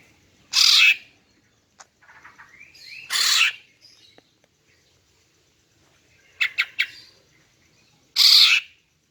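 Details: Harsh, scratchy calls of a female greater green leafbird, used to attract males. Broad rasping bursts come every few seconds. Between them are soft twitters and a quick cluster of three sharp clicks.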